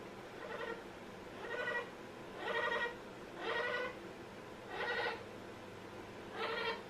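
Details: Amazon parrot producing funny bleating sounds: six rich, nasal, wavering calls, each under half a second, evenly repeated about once a second.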